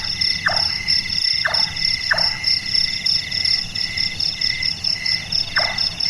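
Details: Large-tailed nightjar, a night-active bird said to sound like a carpenter at work. Short, downward-sliding knocks come at uneven intervals of about a second, set against a loud, continuous high-pitched insect drone.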